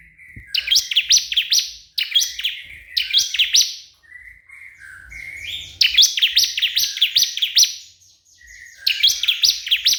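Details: Bar-winged prinia calling a rival, played as a lure to prompt other prinias to sing: loud bursts of three or four sharp, descending high chirps, each burst about a second long, repeated every two seconds or so, with softer wavering notes between.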